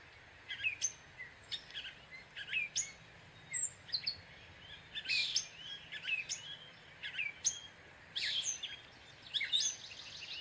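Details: Gray catbird singing a long, jumbled run of varied short phrases: chirps, squeaky notes and quick slurred whistles, delivered in bursts roughly every half second with brief gaps between them.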